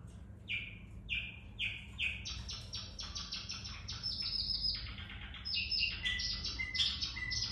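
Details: A white Java sparrow sings a run of clicking, bell-like notes that start slow and spaced, then speed into a dense tinkling chatter ending in high, twangy whistles. Finding: Java sparrow.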